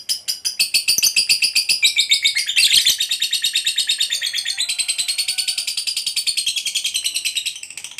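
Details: Competition fighter lovebird giving a ngekek panjang, its long trill: a sustained rapid pulsed chatter that steps slightly lower partway through and then keeps running evenly for several seconds.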